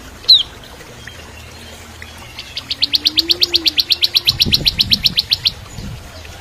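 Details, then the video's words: Bar-winged prinia in full song, used as training song for white-rumped shamas; fast, even trill of about twenty-five high, dry notes lasting three seconds, preceded by a single sharp note, with a brief low rumble near the end. "Masteran Cimblek Kristal Gacor (masteran murai Batu trotol)"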